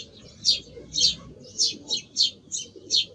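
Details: Song thrush singing seven short, sharp high notes spaced roughly evenly, about two per second, over a steady low background noise.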